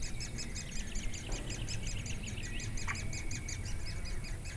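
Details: Woodpeckers feeding young in Durmitor National Park on 6 June 2017: high, rapid chirping notes pulse evenly several times a second with a single brief louder note, against low-pitched background noise.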